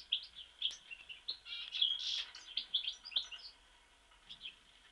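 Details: European goldfinch from Mostar with a rapid, high-pitched twittering song of jingling notes and buzzy trills that fades out toward the end.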